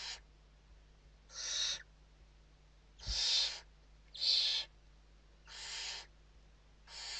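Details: Western barn owls in a Spanish nest at evening feeding time, 29 November 2023: six short rasping hisses spaced roughly a second or more apart, two in the middle notably louder, with a brief thump.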